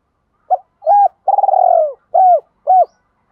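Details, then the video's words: Male and female spotted doves give a lure call meant to provoke males. Two brief coos lead into a drawn-out, trembling, downward-sliding purr, followed by two clear hooted notes. The background is quiet. "thuc dau va gay goi chim cu moi"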